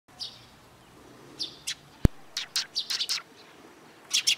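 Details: Sparrows on 13 April 2022 give short, high chirps in scattered bursts, some doubled, with a sharp click near the middle and a quick run of chirps toward the end.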